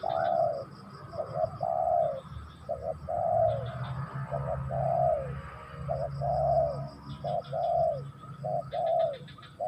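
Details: Spotted dove song, a steady series of mellow coos: brief clipped notes alternating with longer drawn-out falling coos, about eight phrases in succession, with faint twittering from other birds and low hum behind.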